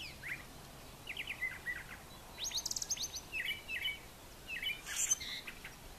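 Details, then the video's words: Brown thrasher morning song near brushy farmyard nesting sites: a string of varied, rich phrases, many given twice, ranging from low churrs to high sharp notes, against a soft background hiss. "Brown Thrasher Morning Song"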